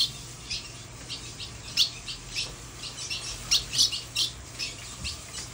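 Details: Colombian female ultramarine grosbeak, coming out of moult, calling a lot: a series of short, sharp high chirps repeated irregularly about every third of a second to half a second, with a faint low hum in the background.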